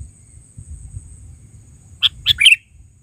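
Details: Kutilang (sooty-headed bulbul) calling actively in an original recording: after a second and a half of low background rumble, one quick phrase of three or four bright chirps, the final note dropping in pitch.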